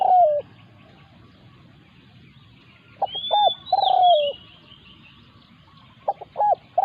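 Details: Spotted dove during decoy trapping, a captive decoy confronted by a territorial wild resident bird: a cooing phrase of two short clipped notes and a long, slightly falling coo. Brief high whistles from other birds sound above.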